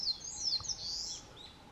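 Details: Narcissus flycatcher, a summer visitor on Mount Rokko in Hyogo, Japan, in May 2020. A short burst of bright, fast sliding whistles, then fading softer notes against a faint background hum.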